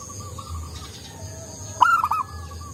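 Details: Local zebra dove with a soft voice, kept as a lure bird; faint low coos, then one short phrase of a bright upper note falling into quick lower coos near the end, over a low hum.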